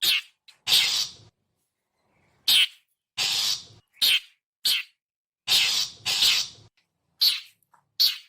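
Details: Harsh characteristic call of the long-tailed shrike, a lure for wild birds: irregular grating screeches and short chacks, about twelve bursts in eight seconds, with one quiet pause near the start.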